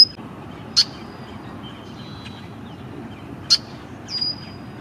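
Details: Male red-winged blackbird at Green Cay Wetlands, Boynton Beach, Florida, in mid April 2023, giving two sharp, clicking chip notes about three seconds apart, then a thin downslurred whistle, over a low wetland background hum.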